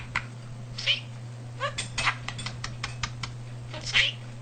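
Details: Talking pet budgerigar in a house, a male with a vocabulary of nearly 300 words and phrases learned naturally; short high-pitched mimicked syllables in scattered bursts over a constant low electrical hum.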